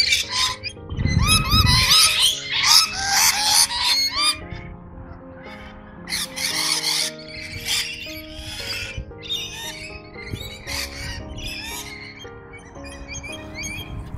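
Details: Wild Noisy Miners, unseen on the top branches in east-coast Australian woodland, give loud, harsh repeated calls and chattering in displeasure at Rainbow Lorikeets feeding on the same nectar, with other bird calls and background music mixed in.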